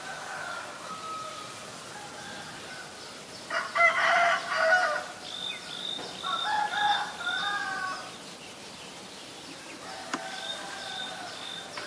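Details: Black-collared starling, Ubon Ratchathani, Thailand, 17 April 2022: two loud, harsh, chattering bursts with raspy harmonics. Quieter whistled notes sound between them. Faint high chirps from other birds continue throughout.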